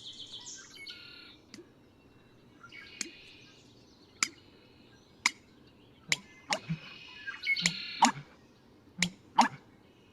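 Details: American bittern, recorded at close range, giving the clicks of gulping air before its pumping song: sharp, dry clicks, about nine in seven seconds, irregularly spaced, while small birds chatter in the background.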